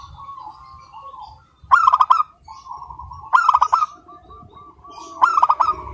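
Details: Local zebra dove calling continuously with a crystal-clear voice: three loud, rapid trilled coo phrases about every one and a half seconds, over a steady background of softer rolling coos from neighbouring doves.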